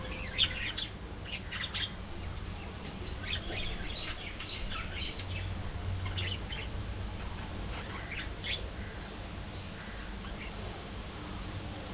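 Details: Colony of budgerigars in an aviary chattering continuously; many overlapping scratchy chirps, squawks and warbled notes from several birds across the whole stretch, above a steady low hum.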